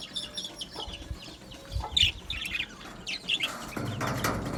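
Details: Aviary budgie colony chirping: clusters of high, quick twittering notes, some louder squeaky chirps near the middle, then a burst of broad rustling noise toward the end.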